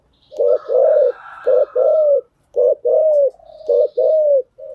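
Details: Spotted dove cooing played to train newly caught birds, steady and loud: deep, mellow coos in pairs, a short note then a longer sustained one, repeated at a regular pace of about one pair per second.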